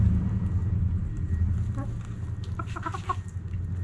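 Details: Backyard chickens at sunrise: after a lone cluck, a hen makes a fast run of harmonic clucks near the end, partly masked by a loud, constant low engine-like rumble.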